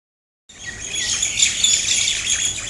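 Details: Two pairs of mynas attacking each other, harsh, scratchy high squawks and chatter starting abruptly and continuing densely without pause.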